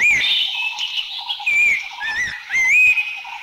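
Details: Abbott's Babbler in Thailand calling with pure, rising and falling whistles in a few quick phrases, set against a constant background drone of insects and faint other birds.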